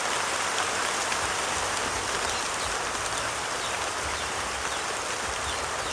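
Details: Heavy rain patters steadily on surfaces outdoors as an even hiss, with no animal calls.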